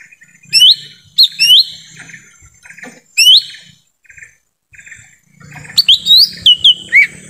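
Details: Lure call of a lesser green leafbird in forest, meant to draw in wild birds: sharp rising whistled notes in pairs and clusters, with softer buzzy chatter of other birds between phrases.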